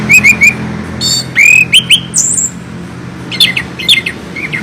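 Chestnut-capped thrush giving sharp, high chirps in quick bursts of three, then squeaky rising notes and thin whistles, over a faint low hum.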